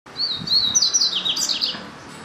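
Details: Double-collared seedeater (papa-capim) song: a bright, high twittering phrase of quick whistled slurs and trills, rising then dropping in short warbled notes, about one and a half seconds long, over a quiet background.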